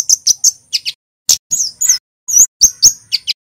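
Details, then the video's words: Javanese kemade male, the Scarlet-headed Flowerpecker, singing loud cit keres phrases: needle-thin high chirps, a couple of buzzy double notes, and sweeping slurred whistles, in short bursts. "Suara burung KEMADE cit keres FULL GACOR"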